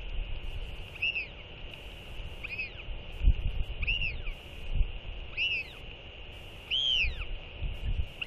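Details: Skycall exchange between a northern royal albatross pair after a chick feeding, 4.9.24: five or six arched whistled notes about 1.5 seconds apart, each rising then dropping, over a constant hum with low thumps and wind rumble.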